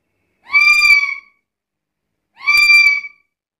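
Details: Black-capped lory gives two drawn-out, harsh, buzzy calls about two seconds apart, each close to a second long, with a faint click over the second.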